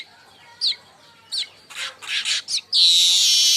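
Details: Baya weaver chattering call used as a lure and training recording: a few short, sharp downslurred chirps, a brief noisy burst, then a sustained high, buzzy, sizzling hiss.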